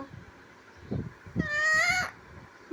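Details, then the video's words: A talking parrot, reported as saying "Radhe Radhe" and "mittu", utters one drawn-out nasal, speech-like sound lasting about half a second, with soft thumps and room noise around it. "Parrot say Radhe Radhe and mittu"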